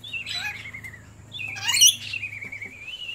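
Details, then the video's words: Lorikeet giving shrill, slurred calls: a wavering high note sliding downward, then a harsh burst around the middle followed by a long, steady squeal that rises slightly at the end, over a faint low hum. "Nutjob lorikeet"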